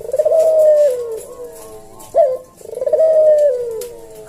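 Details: Captive collared dove (puter jawa) cooing slowly in senggang style as a tutor recording: a long mellow descending coo, a brief sharp accent, then another extended falling coo.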